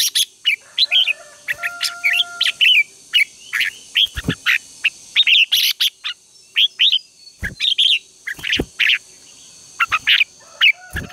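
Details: Red-whiskered bulbul morning contest song, used as lure sound to train birds and spur them to sing: dense bursts of short bright chirps and whistled phrases, some rising and falling, over a steady high electronic-like hum.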